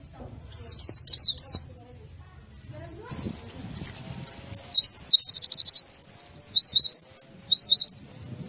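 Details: Masteran white-eye song for training birds: an opening chirp cluster, a quieter gap with faint noise, then loud rapid trills and zigzag whistled notes repeated in quick succession.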